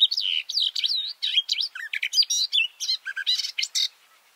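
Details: Garden warbler (Silvia borin) singing from inside a bush, recorded up close from a shelter tent with microphones about two meters below: a fast, continuous warble of rich looping whistles and rapid chattering notes, clean and studio-like.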